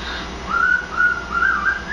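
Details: Pet cockatiel whistling the Imperial March from Star Wars indoors: steady clear whistled notes near one pitch, held and slightly wavering, in a short phrase.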